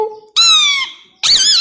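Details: Tamed male plum-headed parakeet, two years old and kept as a talking pet, lets out a long shrill squeak that slides slightly down, then a second wavering squeal after a short pause.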